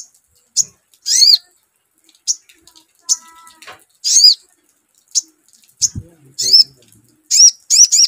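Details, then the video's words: Crimson sunbird answering a lure call: repeated high, sharp, harmonic chirps, some in quick pairs, with a brief steady hum and a low thump partway through. "SUARA PANCINGAN SOGON"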